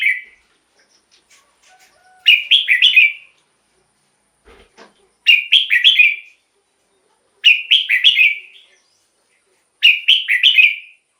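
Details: Red-whiskered bulbul repeating the same short, bright warbled phrase of four quick slurred notes roughly every two and a half seconds, played to lure wild birds or to excite caged birds.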